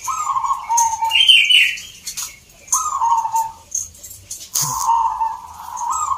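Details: Competition zebra doves in Salatiga, Central Java, at a local contest; trilled coos repeat in three phrases separated by pauses, with a brief higher warbled note, background chatter and faint clatter.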